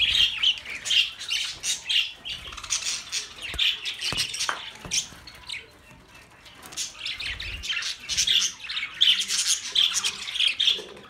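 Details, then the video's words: Budgerigars chirping, intended for lonely birds: dense bright chattering and short tweets in quick irregular bursts, high and busy, fading briefly mid-way before resuming, with a few soft low thumps. "Budgie Sounds for lonely Birds"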